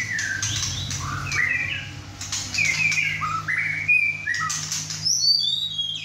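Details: Caged young male White-rumped shama, six and a half months old, in full song at home with two other birds nearby; bright rising whistles and quick chirps, with a thin high twittering near the end.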